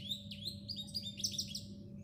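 House sparrows chirping in a busy, overlapping chatter of short, bright cheeps, several notes each second, over a low steady hum.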